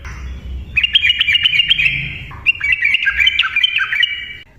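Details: Lively Yellow-vented bulbul in rapid continuous ropel song, used to provoke silent birds to sing; after a quiet start, dense bubbling whistled notes run in two long phrases separated by a short pause.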